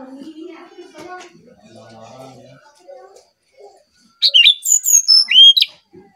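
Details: Brown-chested jungle flycatcher from Bali, singing for use as a lure: soft murmuring voices at first, then a loud phrase of fluty whistles that rise and fall, ending on a swooping whistle.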